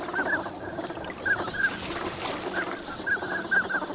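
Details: Wintering migrant ducks crowd the Nagahama shore of Lake Inawashiro on a fine winter morning. A busy chorus of short, high whistled notes comes from several birds at once over a steady low hum of wind and water.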